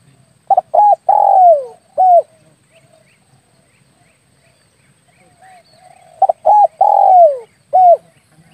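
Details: Spotted dove call played as a hunting lure for air-rifle shooters. Two full phrases about six seconds apart, each with quick doubled hoots, a long downward-sliding coo and a short closing hoot. Faint low rumble between them.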